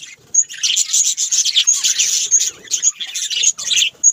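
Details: Budgies in a continuous high warbling chatter. Rapid chirps overlap almost without a break, with a few crisp, sharp ticks near the start and the end.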